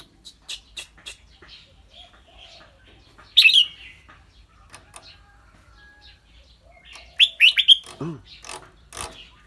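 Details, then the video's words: Caged red-whiskered bulbul with a clear tone, singing and chattering rik: a loud sharp burst, a long quiet stretch with soft clicks, then a quick run of three or four bright whistled notes, and a brief human murmur. "นกกรงหัวจุก เจ้าขวัญโชค เสียงใส ๆ ทั้งร้องทั้งริกๆสะใจๆครับ"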